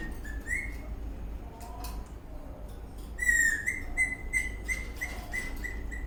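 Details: Eastern rosella parrot dancing and chirping happily, a few scattered high notes, then a louder rising whistle leading into a string of short repeated piping chirps, with low hum throughout.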